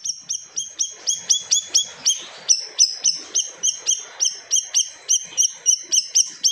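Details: Siri-siri bird in full, fierce song said to silence other birds: rapid series of sharp, piercing high notes, each a quick downward-slurred stroke, repeated about three times a second with steady intensity.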